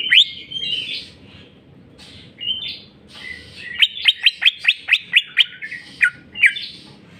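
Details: Full 'jamtrok bongkar isian' song from a greater green leafbird (cucak ijo): varied whistled phrases, then a rapid even series of about ten sharp whistled notes, roughly four per second, and a final swooping whistle.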